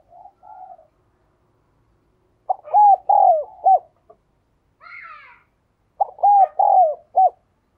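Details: Spotted dove repeating its cooing phrase twice, about three seconds apart: stuttered start, two long arched coos, a short coo. Soft hums open the recording, and a brief higher harsh call falls between phrases.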